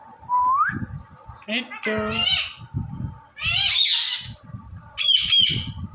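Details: Indian ringneck parrot talking while dancing, with a clear rising whistle, then a run of harmonic speech-like syllables and loud raspy squawks in separate bursts about once a second.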